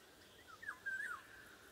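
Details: A Eurasian golden oriole in summer woodland in June 2020 gives one short, mellow fluted phrase, sliding down then looping back up, over a faint windy hush.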